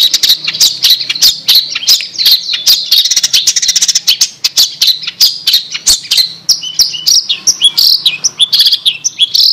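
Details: Long-tailed shrike chirping in a master recording: a long, busy stream of rapid high chips and scratchy notes that shifts into slurred, warbling whistles of varying pitch toward the end.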